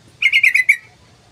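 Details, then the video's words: Tutor recording of a yellow-vented bulbul: a quick, gurgling phrase of five to six harmonic notes with a slight downward slur at the end, over a low hum. "Pancingan Trucukan panjang❗Masteran Trucukan Gacor"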